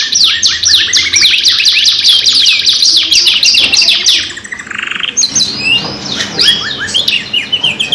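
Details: Two-in-one canary lure song, long and lively: rapid high sweeping notes, a brief buzzy roll, then a renewed burst of quick bright chirps and downward slurs.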